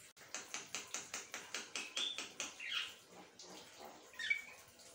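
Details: Asian pied starling in continuous song, opening with a rapid train of regular harsh clicks, then scratchy notes and a thin whistle.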